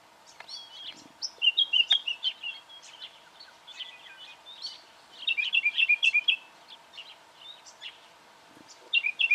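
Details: Black honeyeater in Victoria, Australia, October 2011, giving thin, high chirps in quick bursts of four or five, with pauses between, over a steady faint background hum.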